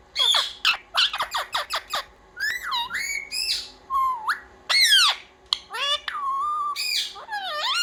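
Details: Pet parrot trained to say "mummy papa" opens with a rapid string of sharp squawks, then gives longer whistled and voice-like syllables with swooping pitch, nearly continuous throughout.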